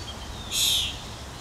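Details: A single brief, hoarse, hissing begging rasp from a common starling fledgling fed by its parent on a lawn in Helsinki, Finland, June, against a soft low hum.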